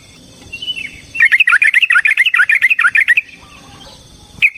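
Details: Yellow-vented bulbul (trucukan) in a lure for fighting song: a soft lead-in note, then a rapid bubbling trill of some fifteen rolling notes lasting two seconds, and one final clipped chirp.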